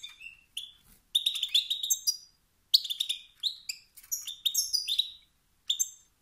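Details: A male European goldfinch's stimulating calls, meant to spark competition and singing in other males. Bright chirps and tinkling twitters come in separate bursts with brief pauses, some rapid runs of liquid notes between them.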